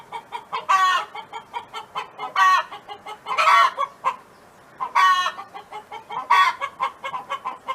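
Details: A neighbour's hen on a farm sings with soft rapid clucks between five loud, drawn-out harmonic squawks roughly every one to two seconds, with a short pause midway.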